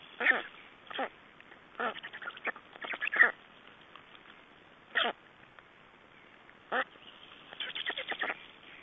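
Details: Black storks at their Estonian nest, 3 June 2011, during exchange and feeding: scattered hoarse, nasal single calls at irregular intervals, ending in a rapid stuttering burst of clipped notes.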